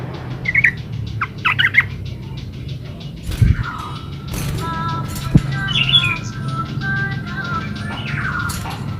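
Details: Yellow-vented bulbul (trucukan) in energetic 'gacor ulpik ropel' song, used as a lure so other bulbuls answer and sing: short liquid whistled phrases early, then more warbled notes near the end, over steady low hum and scattered clicks.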